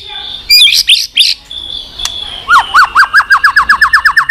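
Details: White-rumped shama in continuous 'tạch' song, used to stimulate weak-spirited birds: a few sharp whistled phrases, then a quickening string of short downslurred notes repeated many times.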